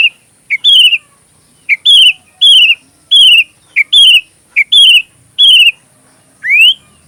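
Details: Sooty-headed bulbul, called kutilang, in persistent song used as tutor material for magpie robins: a short pick note followed by a loud drawn-out falling whistle, repeated roughly every second, ending on one rising swept whistle.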